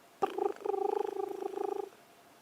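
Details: Crested Barbet at sunset in Sabi Sand, South Africa, on 9 April 2016, gives a long, low, rapidly pulsed trill, steady and unbroken for about a second and a half, against a quiet background.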